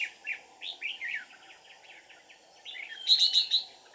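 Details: Ché-style song of a red-whiskered bulbul at a trap set with a decoy bird, 13 May 2019: a burst of rich, slurred, rising-and-falling warbles, then softer chatter and a rapid series of four sharp, high notes from another bird.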